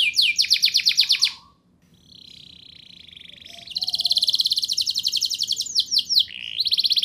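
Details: Energetic canary song meant to prompt young canaries to sing; a fast trill, a brief pause, a lower steady buzzing roll, then a loud rapid trill with swooping notes.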